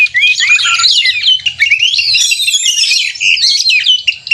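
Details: Energetic 'narung' fighting-style song of an Oriental magpie-robin, used as contest simulation to goad a caged bird: continuous tangle of high whistles, chattering trills and rising slurs without pause, over a faint low drone.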